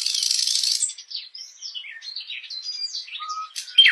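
A nightingale sings a rapid, varied run of high chirps, trills and whistled notes, opening with a dense buzzy burst and ending on a clear sustained whistle.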